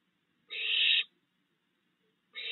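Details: Barn owl in a backyard on the night of June 22, 2022, where three fledged owlets are still being fed by their father: two harsh, hissing screeches about half a second long, separated by nearly two seconds of quiet.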